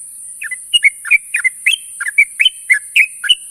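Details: Sooty-headed bulbul calling to companions in the morning: a rapid run of short, bright chirped notes, some rising and some dropping, delivered about three to four per second, with a steady high hiss behind.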